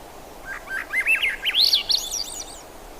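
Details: Thrush singing a fast, warbled phrase of slurred notes that rise and fall, climbing higher toward the end, over a soft steady outdoor hiss.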